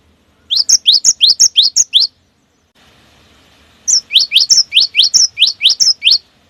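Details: Cinereous tit, gelatik batu, in long rolling lure song: a run of about eight rising whistled notes, a gap with faint hiss, then a longer run of roughly eleven, fast and tightly spaced.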